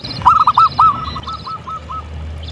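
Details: Local zebra dove singing energetically, opening with four or five loud, rounded coo notes, followed by a softer, quicker trailing series of coos that fades out.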